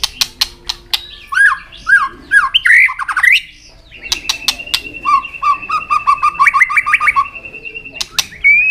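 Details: White-rumped shama giving a tail-flicking fighting song to excite young birds: sharp clicks, then a string of upslurred whistled notes and a long level whistle with rapid chattering phrases over it.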